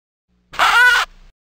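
A duck gives one harsh, nasal quack lasting about half a second, with quiet surroundings and no other clear sounds.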